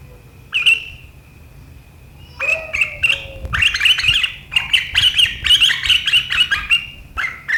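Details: Sooty-headed bulbul giving sharp riwikan chatter, recorded 7 April 2023, said to set rivals chattering too: a steady high whistled tone, then bursts of harsh, rapid chattering strokes that build into a dense run.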